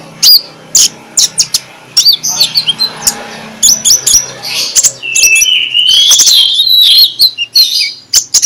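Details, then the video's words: Morning song of an Oriental magpie-robin (konin), used to stir lazy magpie-robins into excited singing. Sharp clicking chips come in quick runs, then a long varied warble of high whistles and slurs. Light background hum. "2 Menit di Pagi Hari MENJUR untuk PIKAT Konin Lelet jadi NGOBRA, Menggunakan Suara KONIN Ngeplong"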